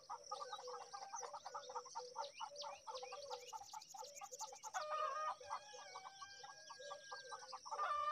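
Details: Myna chicks at feeding time give harsh, nasal, rapidly repeated begging calls in a continuous scratchy chorus, growing louder and more urgent toward the end.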